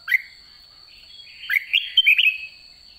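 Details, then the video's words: Caged red-whiskered bulbul late in the season: a short rising whistle, then after a pause a quick bubbly phrase of warbled notes, with a steady thin electronic tone in the background. "Chào mào má trắng cuối vụ đã ché"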